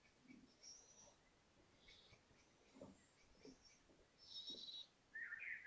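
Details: Little owl owlets, five young venturing out to explore a balcony when feeling brave. Short hissing, wheezy bursts come in scattered pairs, with a brief raspy chirp near the end over faint room hum.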